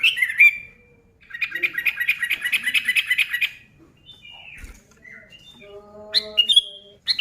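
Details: Energetic sooty-headed bulbul song meant to rouse other bulbuls: a brief whistled opening, then a two-second run of quick, evenly repeated chirping notes, followed by softer scattered whistles and a few clear, sharp notes near the end.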